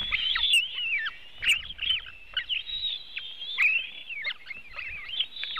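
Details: At a Latvian white-tailed eagle nest during an eaglet feeding on an afternoon in June 2018, piercing high yelps and squealed notes tumble one after another in quick, uneven series, with soft low knocks between.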